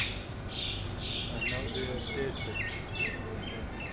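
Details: Two pairs of mynas fighting, attacking each other until one pair flew off: harsh, noisy squawks and rasping chatter, several bursts overlapping quickly, with a low background rumble.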